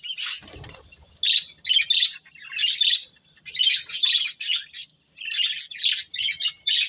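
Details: Budgerigar breeding pair giving rapid scratchy chirps in short grouped bursts, separated by brief silences, after an opening thump.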